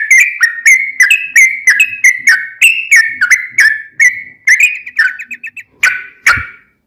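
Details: Long, rapid Sooty-headed bulbul song used as a lure to make other bulbuls sing back: steady loud falling whistles about twice a second, ending in a fast stuttered trill and two harsher notes.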